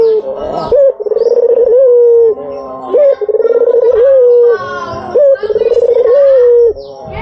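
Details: White dove, used as a lure call, giving low rolling coos, each a burst of rapid pulses ending in a held note, repeated about every two seconds.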